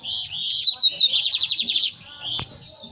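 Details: Lined seedeater singing: a high, slightly buzzy opening that leads into a quick series of pulsing notes, then fades, with a single sharp click near the end.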